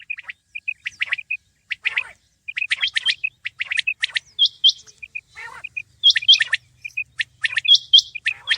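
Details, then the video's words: Common quail, known locally as batair: sharp, high chirping notes gathered into quick bursts of two or three, with short pauses between the bursts. Other similar calls overlap throughout, and a faint low hum sits underneath. "Batair Ki Awaz| Batair ki Awaz , Batair Sound vol 33 , Common Quail Sound"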